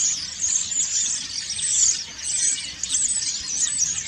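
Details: Preening common starlings sing autumn song: loud, dense high squealing and rattling chatter that swells and fades, with a bright whistled note near the middle.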